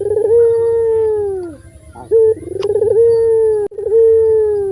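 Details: Two long, deep coos from a loud local puter dove, a bird kept as a lure. Each starts with a bubbling trill and holds a steady tone that sags slightly at the end, with a clipped note between them.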